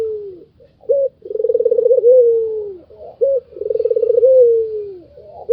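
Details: Barbary dove, a white dove, giving its laughing call: a short coo, then a long rapidly pulsed, chuckling phrase that flattens into a smooth falling note, repeated twice.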